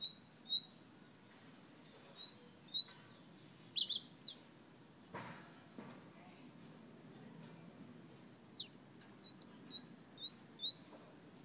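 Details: Whistling fire-red Guyana bird giving bursts of short, high, slurred whistles in fast succession, a quiet pause with a couple of soft knocks in the middle, then the rapid whistled notes resume.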